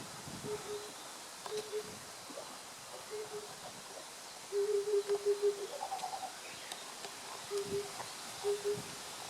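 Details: Oriental cuckoo recorded on 8 June 2015 gives soft, low hooting notes, mostly in spaced pairs. Midway a quicker run of about five hoots is followed by a brief higher note, then more pairs, against quiet rural background noise.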